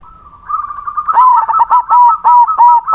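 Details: Zebra dove of the 'crossing' type singing: a soft opening note, then a fast run of clipped, mellow cooing notes that settle into steady, regularly spaced pulses toward the end.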